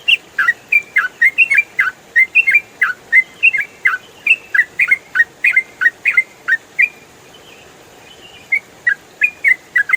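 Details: Trucukan, the yellow-vented bulbul, in fast 'ropel' song style for training songbirds: nearly seven seconds of tumbling, closely spaced chirps and whistled flicks, a pause, then a few further notes.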